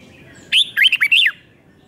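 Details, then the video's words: One five-syllable phrase from a red-whiskered bulbul, a Thai song style played to teach young birds: a sharp opening whistle, then four quick, rolling whistled notes that dip and rise. "เสียงนกกรงหัวจุกเบิ้ล2 เบิ้ล3 เพลง 5 พยางค์"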